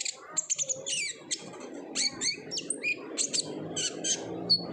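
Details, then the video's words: Olive-backed sunbird in energetic 'ngobra' singing, used as a lure to get untrained sunbirds singing: rapid high, sharp chips and short twittering phrases, some descending slurs, over a soft low rumble. "PANCINGAN KONIN GACOR NGOBRA , KONIN BAHAN PASTI AKAN RAJIN BUNYI"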